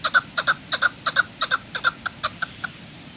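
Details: Chukar calling at Kachai Gulistan on 21 April 2020: paired and single clucking notes, loud at first and then thinning out into spaced single chucks that fade away.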